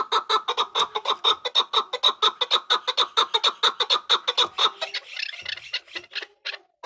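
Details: Hybrid chukar partridge producing a fast, even run of about twenty sharp chuck notes that later loosens into scattered, rougher notes near the end.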